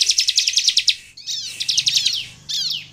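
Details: Bar-winged prinia singing energetically to provoke rivals into song: a fast, high, metallic trill of evenly repeated notes, then shorter buzzy chattering phrases after a brief gap.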